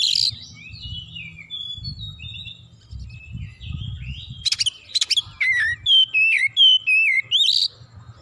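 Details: Heated oriental magpie-robin singing its full repertoire, soft warbling at first, then harsh clicks followed by a rapid run of bright, wavy whistles.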